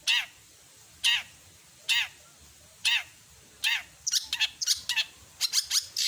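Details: Long-tailed shrike singing actively with a full mimicked repertoire. Several downward-sweeping squeaky notes come about a second apart, then a fast run of sharp, high chirps.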